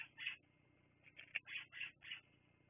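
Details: Bald eagles at Fraser Point on a live nest camera, 10/02/2022, 16:59: six shrill, squeaky piping notes in quick succession over under three seconds, with a quiet background hum.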